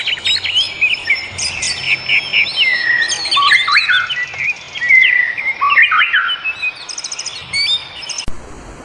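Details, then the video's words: Birdsong in the wild: a lively run of varied whistled notes, upslurs and quick trills that tumble over one another for about eight seconds, then stop with a sharp click. "Suara kicau burung di alam"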